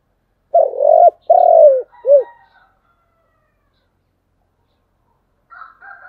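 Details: Spotted dove performing chiêu and thúc cooing: three low coos, the first two long and arched, the last short and clipped, then silence before faint higher chatter near the end.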